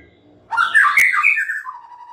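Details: Brief white-rumped shama phrase: a loud, complex cascade of whistles and warbles that drops into a lower, steady tone.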